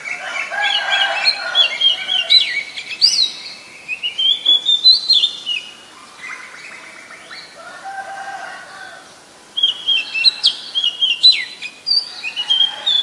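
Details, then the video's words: Oriental magpie-robin singing in the wild: varied, melodious whistles with rising and falling slurs in several bursts separated by a quiet gap, plus a few lower chattering notes. "Gacornya Suara Burung Kacer di Alam Liar"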